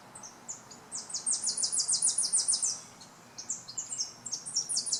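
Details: Possibly a Tennessee warbler, near electric wires, singing very high, dry staccato notes that speed into a rapid chipping trill, then a second run of sharp repeated notes; another bird also makes a rapid chortling; faint hiss.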